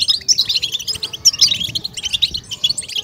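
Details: European goldfinch song of the stimulating, excitement-raising style, busy rapid twittering of high tinkling notes and short buzzy trills with almost no pause.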